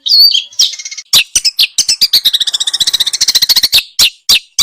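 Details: Small birds singing, a recording used as tutor song for a white-rumped shama. High chirps open, then a fast even trill of sharp rattling notes, ending in a few loud separate chips.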